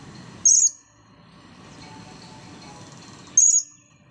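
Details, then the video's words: A blue-crowned hanging parrot that has just dried from bathing makes two short, shrill, very high squeaks roughly three seconds apart over quiet low background hum. "burung serindit jiwa kacau depan camera"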